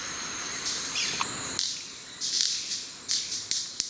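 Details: White-bearded manakins displaying at their lek beside a forest trail at ASA Wright, Trinidad: sharp snapping cracks and hissy, buzzy high bursts in repeated pulses, with a thin whistled tone early on.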